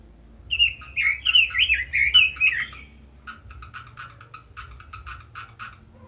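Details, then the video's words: Red-billed leiothrix (Leiothrix lutea), a cage bird, sings a rich, fast warbled phrase of rising and falling whistles, then a quieter run of short, sharp chips. "Chim Quế Lâm kích giọng hay, căng lửa - Burung Robin Gacor | Chim Kim Oanh Mỏ Đỏ"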